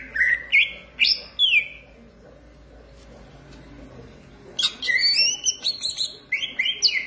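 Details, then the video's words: Green leafbird singing energetically: a burst of clear, sliding whistles and sharp chirps, a pause of near silence, then a dense, rapid run of varied whistled and buzzy notes with quick pitch jumps, loud and close. "cucak ijo gacor manteb banget"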